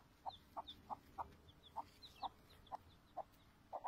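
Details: A domestic chicken chick calling its peeping cry: about ten short, clipped notes in four seconds at an uneven pace, with fainter high peeps between them over a quiet background.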